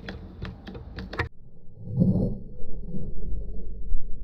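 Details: Rapid keyboard-like tapping for about a second, then a low indoor rumble and muffled thuds with no animal voice.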